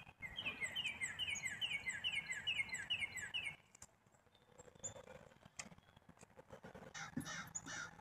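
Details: Repeated rough, falling notes from a black-capped chickadee, roughly seven in a row over three and a half seconds, followed by a lull with scattered faint clicks.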